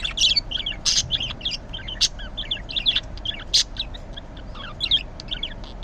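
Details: Green budgerigar calling in the morning, a steady stream of quick chirps, squeaky twitters and sharp clicks, fairly even in loudness and without breaks.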